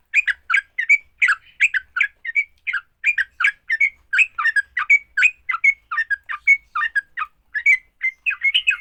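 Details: Combative song of a sooty-headed bulbul, aimed at prompting other bulbuls to sing. It is a long, busy string of bubbling slurred notes and short level whistles, delivered rapidly with small pauses.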